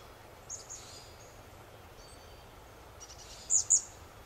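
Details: Chestnut-backed chickadee preening in the sun, ruffling feathers and spreading its tail; faint high wisps early on, then two sharp, very high-pitched chips close together near the end against quiet background hiss.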